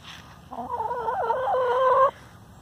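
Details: A free-range hen complaining, a call the keeper links to squabbles over laying nests. One drawn-out, wavering nasal call of about a second and a half rises slightly in strength before stopping abruptly. The background is quiet.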